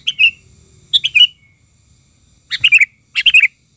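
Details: Excited Sooty-headed bulbul used to lure wild bulbuls: loud, rapid phrases of bubbly descending notes, four bursts in under four seconds, clean and close with almost no background noise.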